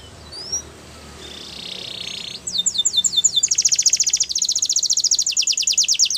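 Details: Canary song meant for training young birds: after a faint, hissy opening, a loud rapid trill of sharp down-slurred notes runs on, fast and rhythmic, shifting into a denser rolling tour.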